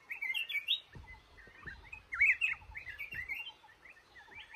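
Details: Male red-whiskered bulbul in a trap, singing a run of bright, warbled phrases with quick rising and falling notes, bursts of song separated by short pauses, with a few soft low knocks beneath.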